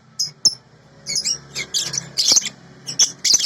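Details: Sooty-headed bulbul in a clear training recording: sparse, thin, high squeaks at first, then faster bright chirps building toward the end, over a faint hum.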